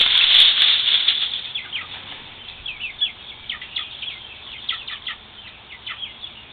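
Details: Several scared chicks cheeping: an intense burst of shrill peeps at first, then steady rapid high notes sliding downward, about four per second, from more than one bird.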